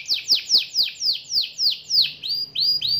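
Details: Young canary singing 'nembak', sharp repeated notes: about eight loud whistles each sweeping steeply downward, roughly four per second, the last few turning into rising-then-level tones.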